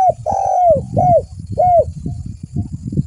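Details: Spotted dove calling to lure other doves: three hoarse, falling coos in quick succession over low thumping and rustling background noise.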